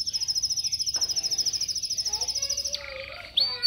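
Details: Caged yellow canary in song training, recorded with a Samsung S8 Plus phone, delivers a long, fast, very high trill. Lower fluttering notes and an abrupt rising sweep follow.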